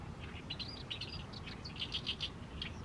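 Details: Oriental reed warbler singing in the evening sun over a fallow rice field in mid-May: short, harsh, chattering notes repeated in quick bursts, with a steady low rumble of background noise underneath.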